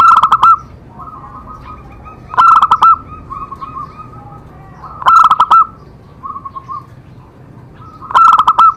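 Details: Zebra dove song to stimulate other doves: four loud, harsh stuttering coo bursts spaced about two and a half seconds apart, each trailed by softer bubbling trilled phrases.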